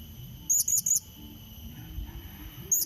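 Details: Blue-crowned hanging parrot lure call used to draw and challenge a rival: a burst of three very high, thin squeaky chirps, then a single chirp near the end, over a faint steady hum and low background rumble.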